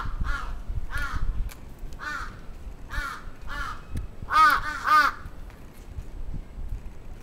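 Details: Attacking crow in Atsubetsu Ward, Sapporo, 27 June 2017, giving harsh rasping caws about twice a second, two louder and fuller caws near the middle, over low rumbling background noise.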